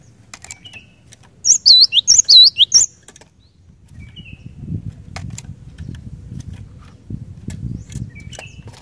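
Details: Short burst of cinereous tit gacor song, used to trigger other tits to sing: about a second of rapid, high slurred whistles, followed by quieter rustling and low rumbling noise with occasional faint chirps.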